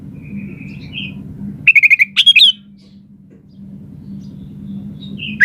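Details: Sooty-headed bulbul described as a gacor, vigorously singing bird: a rapid series of five short chirps, then loud bubbly whistled phrases rising and falling, with soft fluttering notes before and a new phrase starting at the end over low hum.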